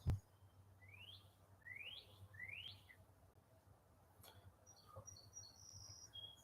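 A Northern Cardinal gives three clear, rising slurred whistles about half a second apart, then quieter high thin notes, over a steady low indoor hum.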